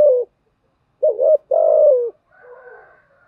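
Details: Lure recording of a spotted dove cooing: a short hoot, a wavering double note and a long level coo sliding down, followed by a softer distant higher call.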